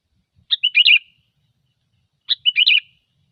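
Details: Gecor-style lure song of a sooty-headed bulbul: two identical short phrases, each a sharp opening note followed by a quick, liquid, bubbling warble, spaced nearly two seconds apart over silence.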